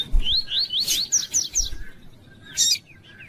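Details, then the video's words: Double-collared seedeater (coleiro tui tui), a training song for cage birds: bright, slurred whistles rising and falling around three to five times, broken by buzzy bursts; faint low thumps underneath. "CANTO DE COLEIRO TUÍ TUÍ"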